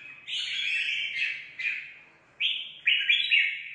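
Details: Newly caught wild red-whiskered bulbul in competitive song, giving four loud slurred phrases of rich whistled notes, each opening with a sharp rise and trailing off, separated by brief pauses.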